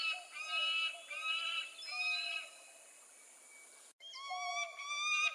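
Peregrine falcon giving drawn-out, nasal, wailing calls, each under a second, about one per second, with faint hiss behind and an abrupt cut midway.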